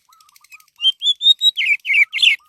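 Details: Orange-headed thrush singing, a recording meant as a lure to prompt other birds to sing: a run of clear, rising whistled notes, then rough, buzzy, descending phrases, with soft low whistles before and after.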